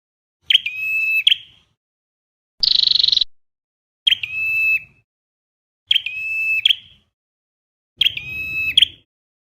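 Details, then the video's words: Five sounds of a red-headed flowerpecker, used as a trapping lure: one buzzy rapid trill among four flat, harmonic-rich tonal notes, each under a second and spaced about one and a half seconds apart. "Tiếng chim sâu đầu đỏ âm thanh chuẩn bẫy là dính"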